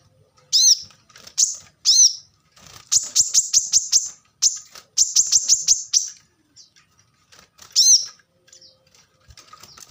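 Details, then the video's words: Plain-throated sunbird in a masteran recording: high slurred notes mixed with rapid, densely packed bursts of sharp, buzzy trills, broken by short pauses and some scattered soft chips. "kolibri kelapa | manggar | wiceh | korlap gacor tembakan rapat"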